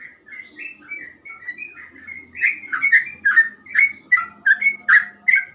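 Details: Sooty-headed bulbul giving rapid 'gacor ropel' song: softer opening whistles build into loud, fast, bubbling phrases of slurred notes that bend up and down, repeated over two times a second.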